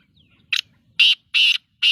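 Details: Black-tailed godwit calling with loud, rasping, broadband notes: a brief clipped note, then two drawn-out harsh calls and the start of another, spaced roughly every third of a second against quiet surroundings.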